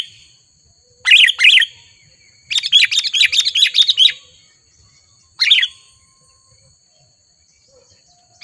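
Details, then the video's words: Sooty-headed bulbul, wild and agitated by a rival, in Lubuklinggau city. Two sharp chirps, a fast bubbling run of bright notes, then a single burst after a pause. "Suara Burung KUTILANG GACOR Menekan Lawan || Kutilang Liar Auto Emosi"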